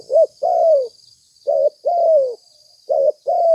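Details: Spotted dove coos recorded as bait: a short note then a long sliding-down croo, repeated three times at a steady pace, over a thin continuous high-pitched tone.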